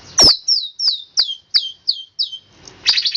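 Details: Long-tailed shrike in 'roll speed rapat' song, giving a loud click then a series of seven clear whistled notes, each sliding downward, evenly spaced about three per second, ending in a burst of chips.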